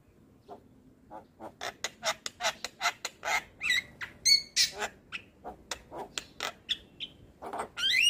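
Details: A white-eyed Javan myna delivers a rhythmic series of rough, clicking rasps roughly every third of a second, interspersed with a few clear whistled notes and a final rising whistle.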